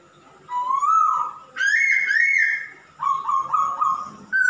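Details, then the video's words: Masked laughingthrush male singing steadily: a drawn-out rising whistle, a long bright ringing phrase, then several short wavering notes and a final sharp high note. "Kicau burung Poksay Hongkong jantan gacor"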